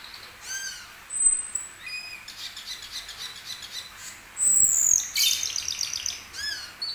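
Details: Asian glossy starling in varied mimicking song: curved whistled notes, bright chirps, a loud descending high whistle followed by a harsh buzzy chatter, then more slurred whistles.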